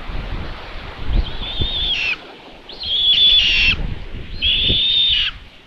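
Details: Common Buzzard chicks at a nest in Tiszalök, Hungary, on 27 May 2022 around 12:23, as their mother brings food, give three drawn-out, thin, high whistled calls, each dropping at the end, about every two seconds, over low wind rumble.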